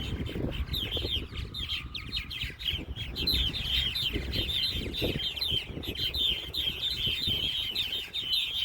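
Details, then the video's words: Purple martins at Fireman's Beach, Conneaut Lake, a colony picking mates; dense overlapping twittering and chirping notes run continuously, with fluttering wingbeats and low rumbling wind underneath. "Purple Martins"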